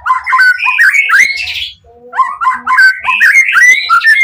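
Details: White-rumped shama singing in high emotion to provoke answering shamas; dense rich warbled whistles with harsh overtones, a short low pause, then a renewed rapid run of bright whistled phrases.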